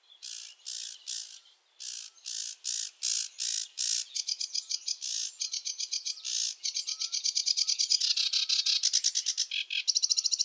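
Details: Chattering sedge warbler song, starting with spaced harsh buzzy notes that speed into dense rattling trills and scratchy phrases, with faint low whistles underneath, never repeating the same sequence; no other sounds.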